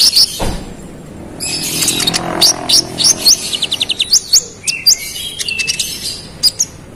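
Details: Konin singing persistently to provoke rival birds: a dense tumble of high, squeaky chirps and rising whistled slurs that thins into sparse, clipped chip notes.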